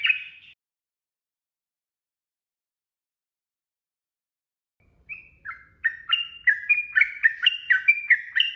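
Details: Sooty-headed bulbul, ropel song for masteran: one brief opening note, a long silence, then an accelerating series of loud slurred whistles that drop and rise in pitch, several per second.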